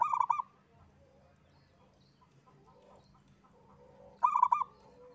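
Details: Local zebra dove, a lone bird in full song, gives a short burst of quick, clipped hollow notes, then near silence with faint murmurs, before another rapid note burst near the end.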